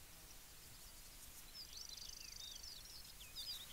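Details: Yellow-breasted bunting (Emberiza aureola) singing: a faint, high phrase of quick repeated notes that runs into a short trill and a few sliding whistles, then a brief second burst of notes near the end, over steady background hiss.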